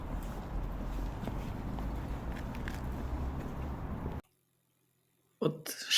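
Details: Outdoor rumble and footsteps for four seconds, then silence, then a brief burst of handling or speech noise; no animal voice is heard.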